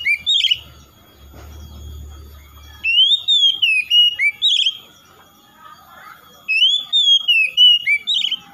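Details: Oriental magpie-robin song, used to prompt a reluctant bird to respond and sing: two bursts of clear, slurred whistles rising and falling, with quick chirpy notes between, separated by a quiet gap with a low hum.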